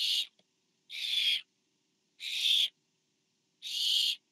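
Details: Food delivery to owlet number four by a parent barn owl, nest camera, 24 September 2015: four rough, hissing screeches, the first clipped at the start, repeated roughly every second and a half.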